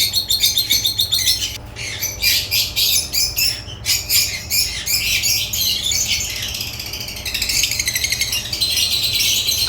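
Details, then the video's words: African lovebirds chirping together: a dense, continuous chatter of shrill, high squeaky notes in rapid overlapping bursts, with brief gaps in the racket near the two- and four-second marks. "Lovebird chirps sounds"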